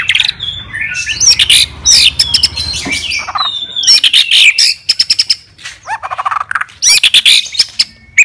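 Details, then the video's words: White-rumped shama, a fighter-style bird singing to seek and provoke rivals: loud, fast varied phrases of sharp chirps, rising and falling whistles and quick rattling bursts packed densely together, with brief pauses between bursts. "CARI LAWAN,, MURAI BATU SUPER FIGHTER,, BIKIN LAWAN AUTO EMOSI BINGKAR MATERI"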